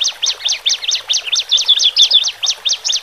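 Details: Caged male and female Horsfield's bush larks singing a lure song for birds new to the cage: sharp, high up-and-down chirps repeated steadily, about four each second.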